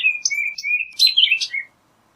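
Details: Orchard oriole singing a quick phrase: slurred whistles near the middle register give way to a jumble of higher, buzzier notes, ending in a short dropping whistle. No other sounds.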